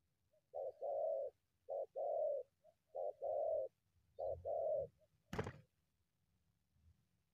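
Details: Wild spotted dove emerging from bushes to confront a decoy, repeating clear hollow coo phrases of paired short and longer notes about every second, followed by a sharp snapping click.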